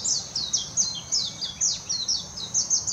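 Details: Warbling white-eye singing in Hashimoto, Wakayama Prefecture, Japan, on 26 June 2021, recorded with a Nikon Coolpix P900: a rapid, unbroken twittering of high, sweeping warbled notes, slurring up and down, with quick bursts following one another.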